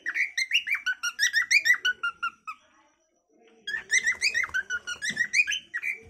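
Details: Natural calling song of a cockatiel: quick strings of bright whistled notes, some rising and some dropping, a silent gap of about a second, then another dense warbling run.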